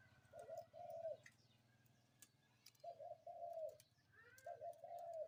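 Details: Morning cooing of a spotted dove: two-part coo phrases separated by a pause, soft and mellow, against a steady low mechanical drone and scattered faint bird chirps.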